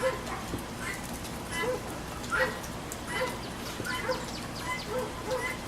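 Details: Guinea hen at a backyard feeder in the rain, calling in harsh, choppy squawks at an uneven pace, each with a lower honking part, against a background of falling rain.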